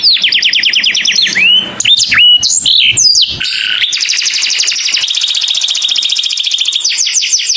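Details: Saffron finch calling its companion, a clear-voiced recording meant for birds to imitate: rapid high trills of descending strokes, a pause with sharp chirps near two seconds, then a long steady buzzy trill to the end.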